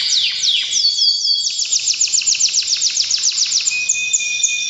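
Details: Breeding-season canary song: a few quick downward sweeps, then a steady run of about twenty rapid repeated chirps, ending in a held high whistled tone.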